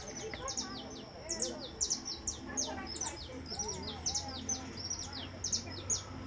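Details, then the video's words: Saffron finch, orange-faced and yellow-bodied, delivering a string of high descending notes in quick bursts, with gentle lower twitters and a low steady hum underneath. "O canto do Canário-da-terra-verdadeiro"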